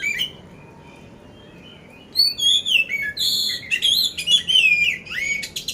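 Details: Poci oriental magpie-robin ready for contests, Magelang, Central Java; after two quiet seconds with faint notes, an energetic run of loud whistles, rasping bursts and slurred phrases bursts out with coarse fill.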